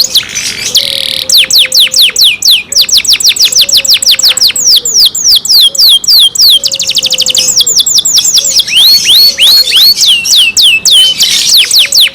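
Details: Pet canary in captivity singing a long, loud song of rapid, sharply downslurred whistled notes in fast rolling series. The rhythm changes from tour to tour, with brief buzzy bursts and a faint low steady tone underneath.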